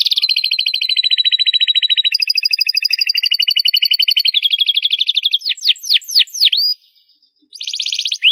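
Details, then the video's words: Canary singing loud, chaining fast high buzzy trills that step up and down in pitch, followed by swooping whistled notes, a short silence, and a renewed dense trill. "CANARY SINGING LOUD!!"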